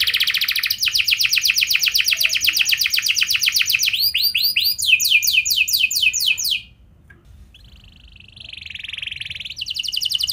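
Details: Canary singing a long lure song in 'cengkok mewah' style with long 'nembak' runs: a rapid buzzy trill, arching and falling repeated notes, a brief pause, then a softer rolling trill and rattle.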